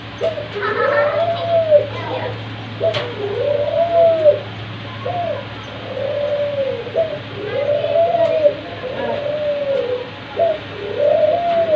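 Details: Australian dove giving a sweet, soft call: mellow arched coos, each rising then falling, repeated roughly every one to two seconds, with a steady low hum and faint background chatter.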